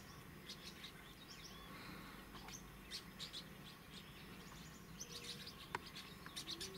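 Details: Green-rumped parrotlets, males and females feeding together in Trinidad, give high, thin chirps and scratchy twitters, scattered irregularly, over a steady low background rumble.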